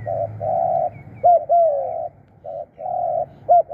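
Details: Spotted doves in a decoy setup for calling birds in: long, flat, buzzy coos overlap with louder pairs of a short rising note and a longer falling coo.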